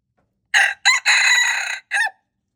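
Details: Wild red junglefowl rooster, recorded February 26, 2025, gives one loud crow: two short hoarse notes, a drawn-out harsh central phrase, then a short downward-slurred final note, all over clean silence.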